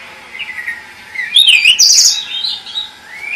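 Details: Pied bush chat singing: a brief loud burst of high, sweet whistled notes with quick twittering slurs, rising and falling, framed by quieter thin whistles before and after.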